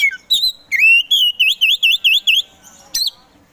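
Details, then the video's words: Caged Kacer Poci Oriental magpie-robin singing a clear whistled run: a long rising note then about seven bouncy V-shaped whistles repeated rapidly, ending with a sharp higher flourish. "KACER POCI GACOR SANG PROVOKATOR || LELET SUSAH BUNYI SEKIAN DETIK LANGSUNG GACOR AWOR AWOR"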